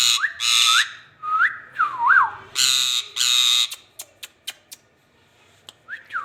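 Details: Rose-ringed parakeet (ringneck): loud, harsh, raspy screeches alternate with short rising and falling whistled notes. A few quiet clicks and taps follow in a small indoor space.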